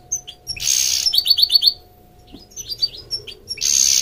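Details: Goldfinch hybrid giving a short burst of rapid high trilled notes between loud harsh rushing noises, with a faint steady low hum in the background and scattered soft chirps.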